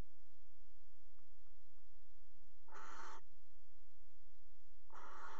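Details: Barn owl at a nest box in the water tower at Axel, 5 February 2018, pair mating on the box rim; two harsh, hissing screeches, each under half a second, about two seconds apart, over steady low hum.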